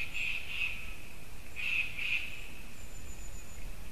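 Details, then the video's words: White-tailed eagle calling on the morning of 9 October 2019: two pairs of quick, shrill yelps about a second apart, then a thin whistle-like trace. Constant low rumble and hiss throughout. "Juras erglis Haliaeetus albicilla"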